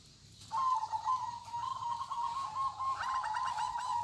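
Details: Zebra dove of local type giving kong-style song, a continuous run of trilled, bubbling coos that grows fuller and richer toward the end.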